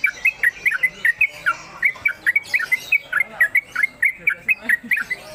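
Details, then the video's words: Caged Yellow-vented Bulbul, singing as it does at home and on the contest pole, gives a steady run of short, bubbly, chattering notes, about three per second, rising and falling in quick mid-pitched phrases. "Trucuk Konslet Kemedol"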